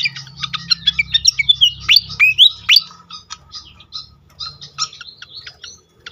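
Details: Lure recording of pied fantail singing to provoke other fantails: quick run of sharp high chips, then a few loud upward-sweeping whistles around the middle, trailing into softer scattered twitters, low background hum.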